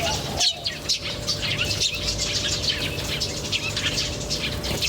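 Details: Birds chirping in nature, with dense high twittering and quick chirps running throughout, above a steady low hum and a thin constant tone.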